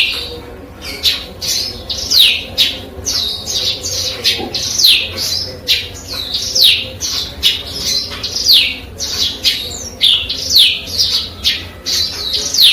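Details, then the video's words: Eurasian tree sparrow trained with canary and cigun song material, giving bright high chirps and descending slurred notes in rapid bursts about once a second, steady and continuous over a faint low hum. "BURUNG GEREJA ISIAN KENARI DAN CIGUN"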